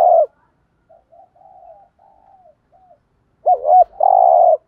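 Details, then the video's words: Spotted dove cooing as a decoy for luring wild doves: a buzzy coo ending, quiet soft murmuring notes, then a loud bending hoot followed by a long vibrating, burry coo. "cu gáy kích bổi nhanh nổi và hiệu quả, tiếng chim cu cườm gáy thúc gù bài bản/ cu đất gù đấu"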